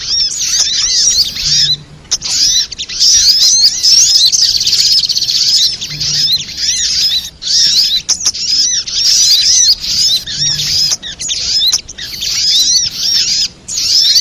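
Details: Continuous shrill twittering of the sogok ontong spiderhunter for luring birds into traps, in long dense phrases of rapid chirps with occasional brief pauses.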